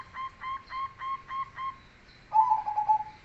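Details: A bass-voiced cemani zebra dove sings a kolbuntet phrase: a quick run of six short clipped hoots, a brief pause, then a longer rolling, purring coo that trails off. Faint high twitters sound in the background.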